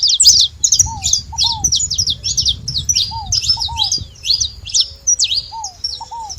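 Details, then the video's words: Noisy saffron finches at a feeding spot: rapid, overlapping high chirps and sweeps pour out continuously, broken by soft, lower downslurred whistles in pairs. "Canário da terra fazendo barulho na seva"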